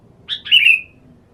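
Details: Sooty-headed bulbul kept as a lure bird and set out for sunning therapy utters one quick phrase, a rough chirp followed by a rich, gliding whistle that trails off downward, over soft background hum.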